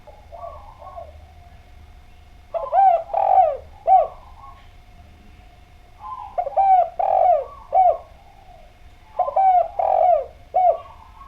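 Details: Javanese spotted dove (derkuku Djawa) in lively, clear-voiced song used as a calling lure: three phrases of mellow coos, each a quick burst of three or four notes ending in a drawn-out falling coo, about every three to four seconds, with a faint background hum.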